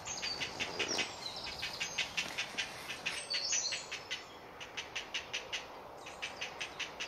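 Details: Great blue heron chick in a nest colony, Delft, Netherlands, crying for food: rapid ticking clicks, about two to three per second, briefly blurred by a soft rustle before the series resumes.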